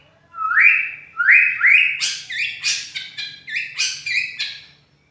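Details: Loud, harsh-voiced white-rumped shama song: three rising whistled slurs, then a fast series of coarse, buzzy, broken notes pulsing about twice per second.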